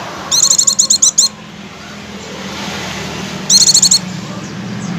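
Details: Oriental white-eye (pleci) lure song in ngecir style: two bursts of about eight rapid, high, rattling chips, roughly three seconds apart, over a steady hiss.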